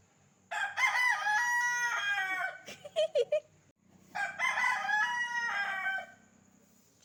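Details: Rooster roaming a village street gives two loud, ringing cock-a-doodle-doo crows, each drawn out over about two seconds, with a few short clucks in the pause between them.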